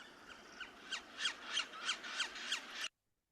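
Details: A typical Yellow-bellied Sapsucker drum: very irregular, about nine sharp knocks at roughly three a second, starting rapid and uneven and then tapering off.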